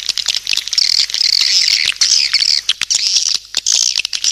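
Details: Lure sound for swiftlets, a continuous high-pitched twitter of overlapping chirps broken by short gaps, with scattered dry clicks throughout.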